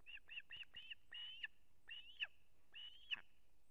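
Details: Osprey father bringing a whole fish to the chick at a nest in Kurzeme, Latvia, 3 September 2024: rapid piping chirps, then a few longer, downslurred whistled notes spaced about a second apart, with background rumble.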